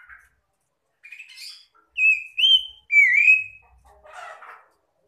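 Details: Answering song of magpie-robins meant to call others and get silent birds singing: soft chirps, then three loud whistled slurs, one rising and the last dropping, ending in a rough scratchy note.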